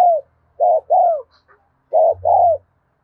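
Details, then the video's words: Spotted dove cooing in the afternoon, two-note phrases: a short mellow coo followed by a longer, falling, rounded coo, repeated after pauses of about a second, with a faint low hum underneath. "tiếng cu thúc gù hay và liên tục"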